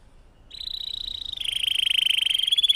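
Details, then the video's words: Domestic canary in full song, a long-running 'cengkok mewah' style recording used as therapy to get silent canaries singing: after half a second of quiet, a steady high whistled tone swells, then shifts lower and grows louder, sustained throughout. "Burung kenari gacor Cengkok Mewah durasi panjang cocok buat terapi kenari agar cepat bunyi gacor"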